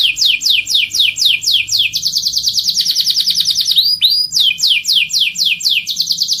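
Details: Canary singing as a prompt for other birds to sing, opening with a series of quick descending chirps, then a dense buzzy trill, a pair of looping whistles, and more rapid falling notes.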